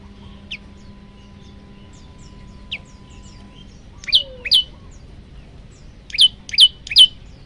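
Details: Calling for a female, a male olive-backed tailorbird begins with scattered thin high notes, then delivers loud, sharp, downward-sliding notes in pairs and a quick triplet near the end.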